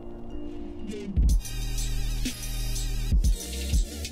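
Electronic music with heavy bass and drum hits and no animal calls.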